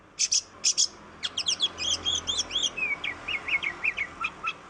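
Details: Oriental magpie-robin singing as a lure to prompt other birds, even reluctant ones, to sing: two buzzy high bursts open, then a rapid run of slurred whistled notes and a lower rising-and-falling phrase of sweet notes.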